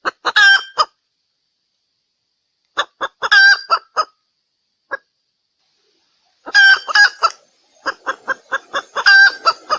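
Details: A female Sumatran red junglefowl gives a lure call of quick, harsh, nasal clucks in three bursts separated by short pauses. The last burst is the longest and most excited.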